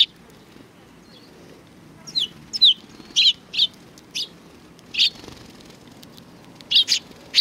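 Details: At a Tenmangu shrine on 3 July 2020, sparrows coming out to greet give short high chirps. They start sparse, then come at roughly half-second intervals, with some doubled notes near the end, over a quiet background.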